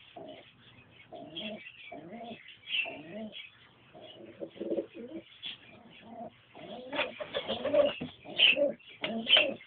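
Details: Pigeons, a pair with a youngster: repeated short cooing bursts, then denser overlapping coos mixed with high squeaky peeps in the second half.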